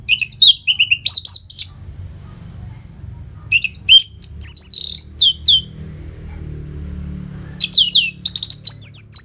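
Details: Orange-headed thrush (Geokichla citrina) sings loud, rich phrases of rapid whistles and trills in three bursts with brief pauses and a faint low hum; song used to prompt other caged birds to start singing.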